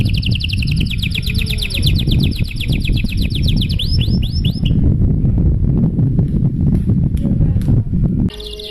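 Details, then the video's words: Canary's long 'gacor' song in luxurious style, played to stir other canaries to sing: a quick high trill that switches to upward-sweeping notes, then stops, leaving heavy low-pitched noise and clatter for the rest. "Suara Burung Kenari GACOR PANJANG Gaya Mewah! Buat memancing Suara Kenari lain Agar IKUT GACOR"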